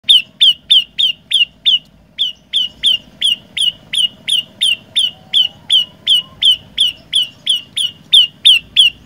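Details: Olive-backed tailorbird singing three variations: a long series of sharp, loud notes sliding down from high pitch, about three per second, with one short pause near the start.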